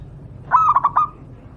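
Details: Local wild zebra dove song used as a tutor voice for pet doves: one short bubbly phrase of about four rapid rolling coos, low-pitched and clear over quiet background.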